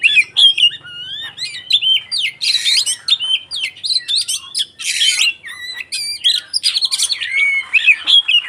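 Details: White-rumped shama in fighting-song mode to provoke other shamas: a long, rich medley of varied whistles, harsh rasping bursts and rapid trills running almost without pause.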